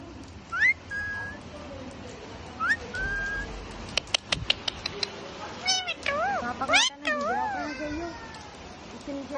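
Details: Chattering parrot on a rainy day, mixing short upward whistles, a burst of rapid ticking clicks and loud wavering, meow-like whining calls, with a constant low background hum.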